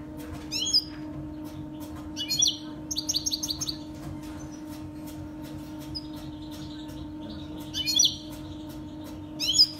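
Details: Saira canary singing, recorded to train young Saira canaries: short bursts of bright, fast chirps and buzzy trills every one to two seconds, separated by quiet gaps, over a steady low hum indoors.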